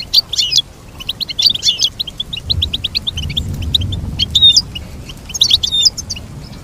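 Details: Goldfinch song played for teaching birds to sing: rapid high twittering of short repeated notes, broken by brighter, complex trilled bursts, over a faint low rumble.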